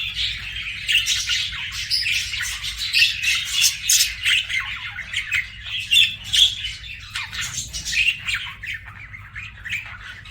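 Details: Pet budgerigar chirping: a busy, continuous chatter of scratchy, squeaky notes and brief high chirps in uneven bursts, rising and falling in loudness, with a faint low background hum.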